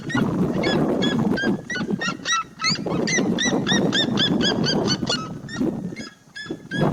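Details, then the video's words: Seriema song heard from the start, a loud rapid series of repeated yelping notes with harmonics, about three to four per second, over broadband low rumbling background noise. "O canto da seriema desde o inicio."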